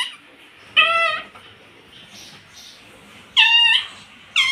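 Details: A pet rose-ringed (ringneck) parakeet talks, saying "mummy" and "papa", with three short, harsh, nasal speech-like phrases, two of them quick double syllables, in a quiet small room.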